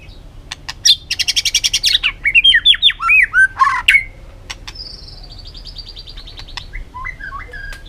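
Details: White-rumped shama singing in a varied forest-voice style, used for training: rapid burst of harsh repeated notes, then looping whistled slurs and a thin high drawn-out whistle, with sharp clicks and quieter gaps.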